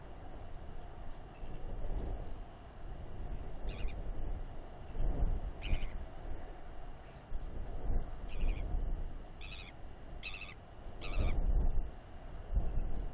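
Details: Royal albatross chick on its nest, watched by a nest camera, snapping at a ranger and grabbing his trousers during a weight check; sharp, dry bill clacks come in short bursts, about seven over thirteen seconds, among rustling and handling noise.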